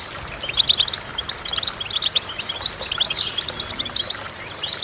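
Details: Twittering goldfinch song with bursts of sharp chirps, a swooping slurred note near the middle and a rising whistle at the end. Soft hiss in the background.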